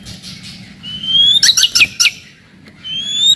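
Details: White-rumped shama song for provoking rivals and toughening young murai batu: a long rising pure whistle, then a burst of sharp clicking chatter notes, ending with another rising whistle, over quiet background hiss.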